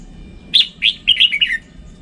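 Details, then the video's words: Red-whiskered bulbul song: one lively phrase of five or six bright whistled notes that step downward, sung over a steady low background hum. "Tiếng chim chào mào chuẩn"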